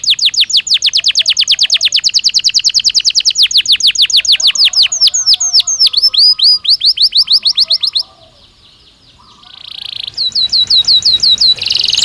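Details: Natural song of a Belgian canary, rapid falling whistled notes repeated many times per second, shifting into faster trills, a brief pause, a high buzzy note, then more fast sweeping trills.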